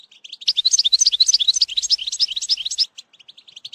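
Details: European goldfinch singing as a tutor for a young bird, a dense run of bright twittering notes repeated quickly for over two seconds, trailing off into quieter chirps.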